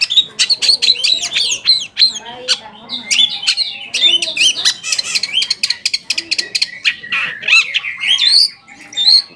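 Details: Long-tailed shrike lure song meant to make other shrikes answer and get agitated: dense, unbroken stream of harsh chirps and hooked squeaky whistles, tumbling fast with few pauses.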